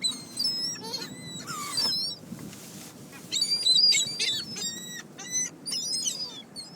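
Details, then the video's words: Gulls gathered in a flock around a car in Closter, New Jersey, squabbling over pizza crust: many overlapping shrill, wavering squealing calls in quick bursts, with a brief quieter gap midway. "NJ seagulls love PIZZA!"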